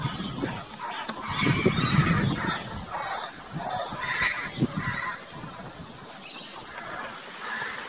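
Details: Juvenile laughing kookaburras in an Australian backyard garden give ragged, squealing chuckles in uneven bursts, mid-pitched and broken rather than a full laugh, with low rumbling noise underneath.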